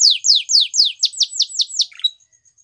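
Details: Waterslager canary singing: a series of bright descending whistled sweeps repeated about four times a second, then shorter falling notes and a brief chattering close, clean with no other sounds.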